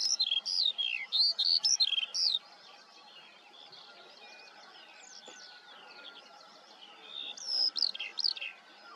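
Eurasian skylark song: rapid, high, chirruping warbles in two bursts with a quieter stretch of faint distant notes between.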